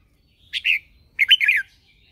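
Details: Lure red-whiskered bulbul in competitive morning song, used to provoke other birds into singing. Two clear phrases of bright, rolling whistled notes separated by a short pause, in a quiet setting.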